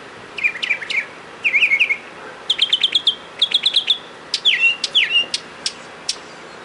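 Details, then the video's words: Mockingbird song recorded outside a door, 31 March 2010: bright phrases each made of a note repeated three to six times, one group of sharp chips, then a pair of rising slurred whistles, with pauses between groups. "Listen To The Mockingbird"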